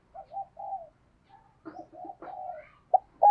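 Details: Spotted dove kept as a lure for wild birds, giving soft low hollow coo notes in short irregular groups, with a louder coo starting at the very end.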